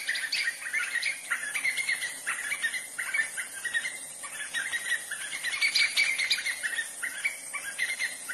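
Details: White-fronted nunbird song: a continuous jumble of bubbling, chattering whistles in waves, with a brief lull midway and a louder burst toward the end. A steady high hiss runs beneath.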